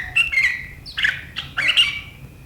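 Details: Sooty-headed bulbul in sharp riwikan chattering style, recorded 7 April 2023: three quick bursts of scratchy high chatter, each with a brief whistled note sliding down.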